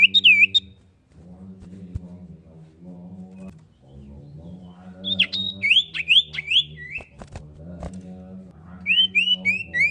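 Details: Female common iora calling the male, used as a lure for birds: a few whistled down-slurred notes at the start, then a burst of quick rising notes and three more slurred whistles at the end, over a steady low hum.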